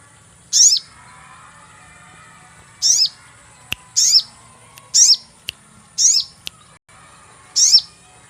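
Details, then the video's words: Series of six high, piercing sogon chirps played as a bird-catching lure, each a brief bright note sweeping downward, spaced one to two seconds apart, with a few sharp clicks in between. "cuit cuit pancingan burung sogon"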